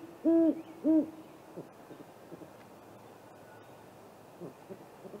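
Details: A Great horned owl pair visiting a Great Gray Owl snag-tree nest at 8:50 pm on 21 April: two deep, mellow hoots about half a second apart, then faint softer sounds against a quiet night background.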